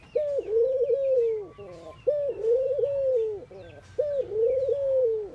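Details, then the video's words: In India, during morning activity, a ring-necked dove gives long, rolling mid-pitched coos, each about a second and a half long and repeated every two seconds, with faint chirps from other birds behind. "Ringneckdoves calling sound"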